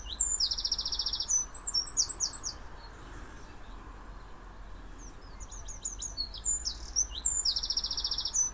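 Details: Eurasian wren (Troglodytes troglodytes) at Rolleville sings loud, very high, rapid trills mixed with sharp chattering notes, two bursts a few seconds apart over a soft background hiss.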